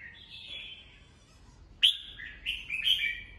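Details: Red-whiskered bulbul singing in the morning for bird training: a drawn-out soft warble followed by a sharp loud note and quick bright whistled phrases, low background hum.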